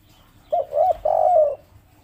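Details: A single brief coo from a local spotted dove of the 'kuk 3' kind: a short hoot, a second note, then a longer, slightly falling coo lasting half a second.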